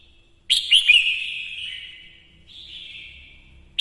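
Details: Female red-whiskered bulbul singing to stimulate males: a burst of quick warbled notes sliding into a long fading whistle, followed by a quieter level whistled note.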